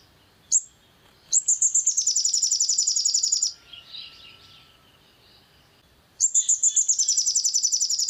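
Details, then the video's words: Long-tailed shrike song used as a lure to provoke singing: a short high note, then a fast run of very high chattering notes for about two seconds, a pause, and another rapid high trill starting. "PANCINGAN EMOSI SOGON AGAR GACOR"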